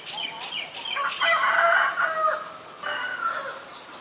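A female Asian koel gives harsh, bubbling bursts of rapid notes, one long loud run then a shorter one, over a quiet background.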